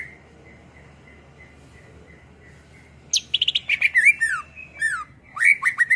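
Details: Greater green leafbird song for training songbirds: a soft, evenly spaced thin whistled note repeats for three seconds, then loud bursts of sharp chips, descending slurred whistles and rising squeals.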